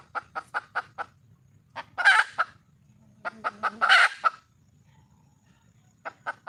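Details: Wild red junglefowl female seeking a male: bursts of rapid clucks broken by two loud coarse squawks, with more clucking starting again near the end.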